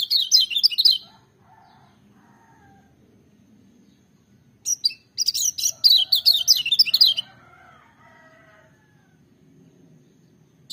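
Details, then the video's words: Lemon-bellied white-eye delivering bursts of loud, high, fast twittering song separated by quiet gaps, with softer lower chips faintly behind the main phrases. "Kecial Kuning joss gacor menggelegar tapi merdu"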